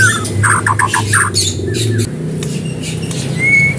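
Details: White-rumped shama in energetic gacor singing, recorded as a lure to prompt another bird to sing; short bursts of quick slurred notes and harsh squawky syllables, ending in a long rising whistle over a steady low hum.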